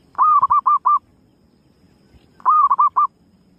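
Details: Female zebra dove calling to lure others, two phrases roughly two seconds apart, each opening with a wavering coo and ending in three brisk hoots, with soft background hiss.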